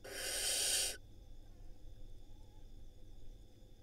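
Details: Nest-camera recording of a barn owl in Israel, at a nest with nestlings during prey swallowing: one loud, rasping, noisy screech lasting about a second, followed by quiet hum and faint background noise.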